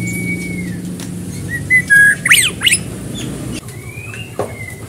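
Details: White-rumped shama singing to prompt another bird: long whistle, a few short notes, then two loud harsh rasping bursts, followed by a rising whistle and a sharp chip, steady background hum.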